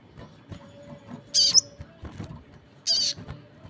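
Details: Crested jay (sogon) calling hard while other birds join in: two loud, harsh, buzzy bursts about one and a half seconds apart, each with a brief tail, over soft low background rustle.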